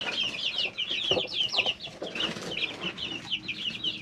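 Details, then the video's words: Three-week-old chicks in a brooder, many peeping together in a dense chorus of high, short chirps, some rising and some falling, with soft scratching and shuffling beneath. "Just Chicks - Life in the Brooder"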